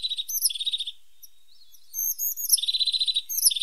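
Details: High, lively tit song from a bird called the pointed or sharp-nosed tit: rapid buzzy trills alternate with sweet slurred whistles, separated by a short quiet gap.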